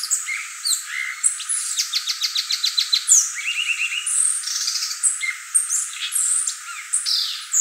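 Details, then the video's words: Violaceous euphonia song: a rapid jumble of high chirps and whistles, with a fast series of sharp, evenly spaced ticks near two seconds, then a low buzzy trill and varied squeaky, warbling phrases to the end. "gaturamo verdadeiro | guriatã canto"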